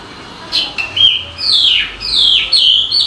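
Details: Bird producing a few short chirps followed by longer loud whistled phrases that sweep downward and upward, with brief quiet gaps between bursts.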